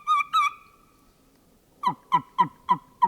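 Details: A fall flock of wild turkeys, including long-bearded birds, heard near a roost in a hemlock stand: two raspy notes, then five hoarse, slightly falling yelps, about three per second.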